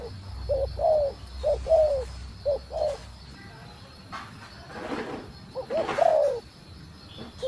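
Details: Spotted dove hen calling to spur the male. A run of low, mellow coos with downslurred endings fades into a stretch of scattered noise, then one more coo phrase.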